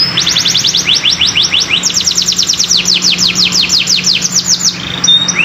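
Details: Canary singing vigorously, played to prompt other canaries to sing: long rapid trills of high descending notes, about three per second, in fast runs with brief pauses, over a steady low hum.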